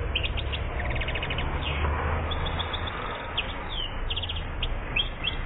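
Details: One-year-old European goldfinch from Algeria, recorded in 2014, giving short bursts of quick, high, twittering chirps and rapid trilled notes in scattered phrases, over a constant low rumbling hum that dominates the background.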